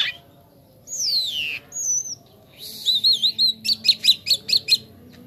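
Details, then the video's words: Gacor song of a jalak kapas starling: a long descending slurred whistle, a short high note, then a series of about ten sharp, evenly spaced chirps repeated rapidly. "JALAK KAPAS KALAU SUDAH GACOR MANTAP JUGA"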